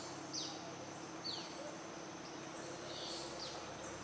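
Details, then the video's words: Olivaceous piculet, a dwarf woodpecker that specializes on twigs, recorded at 600 m elevation west of Otavalo, Ecuador: thin, high, sharply downslurred notes, four of them spread over about four seconds, above a steady background hiss. "Olivaceous Piculet"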